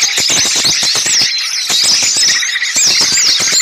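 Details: Noisy small-bird lure sound for bird trapping: bright looping whistles and rapid high chirps over a steady squeaky chatter, with bursts of crisp clicking notes.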